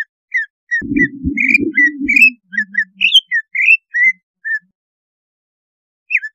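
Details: Greater green leafbird song used as a lure to raise breeding drive or wake the bird; varied whistled notes, some rising and some falling, in an irregular series over a low humming noise, ending after a long quiet gap.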